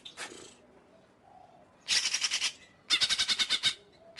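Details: Greater green leafbird song made of loud, raspy, pulsed phrases. Each phrase is a fast series of about eight to ten harsh notes, with quieter gaps in between.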